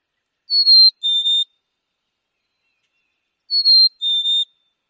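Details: Black-capped Chickadee in Wisconsin singing its clear two-note whistle, a higher note followed by a slightly lower one, given twice about three seconds apart against complete silence.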